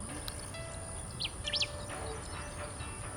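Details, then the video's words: Bristled Grassbird, a rare, elusive grassland species, gives quick, high, upward-sweeping whistled notes in a short burst from tall grasses at Dhanauri Wetlands, North India, on an early Sunday morning, over steady hiss and low rumble. "The moment we arrived, the call of the bristled grass bird echoed all around us."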